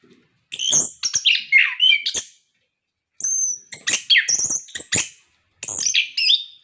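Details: Captive orange-headed thrush singing, meant to prompt other caged birds: three bursts of mixed high whistles, scratchy warbles and loud clicks, each lasting one to two seconds, separated by clear silences.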